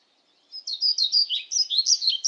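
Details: Pied flycatcher phrase: a rapid string of bright, high, warbled notes, evenly paced and alternating up and down, continuing to the end with clean, quiet surroundings.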